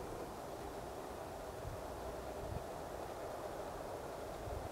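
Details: Only a low, even rumble of distant traffic or wind fills the recording, with no animal voices.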